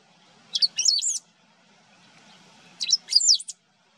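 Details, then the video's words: Great pampa-finch song from wetlands at the Maldonado river estuary in Uruguay, September 2022; a pair of brief shrill phrases, each opening with a sharp chip then a rapid squeaky tangle of notes, separated by quiet. "Verdón (Embernagra platensis) cantando"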